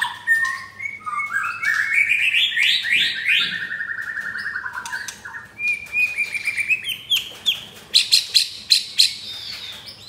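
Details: White-rumped shama, captive F4 bird with a mottled (blorok) chest, Jakarta, Indonesia, in rough-material (materi kasar) song: a climbing chattering run of rapid notes, warbled whistles, then loud sharp repeated chips.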